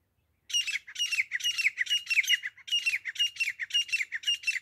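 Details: Desi grey francolin, recorded as a hunting call, giving loud, harsh, squawking notes in quick bursts of about two per second, high-pitched and grating, with no other sounds heard.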